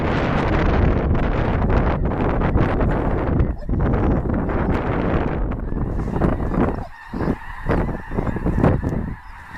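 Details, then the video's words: Snow goose flocks at Clinton Lake, Illinois, migrating in a February blizzard: strong roaring wind dominates at first, then scattered nasal honks of many geese emerge through gusty wind noise. "snow geese blizzard"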